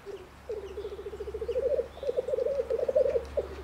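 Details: Black grouse male at a spring-style lek display in the Bavarian Forest, Germany: a steady stream of low, rapid bubbling notes building in loudness, over a faint constant low hum.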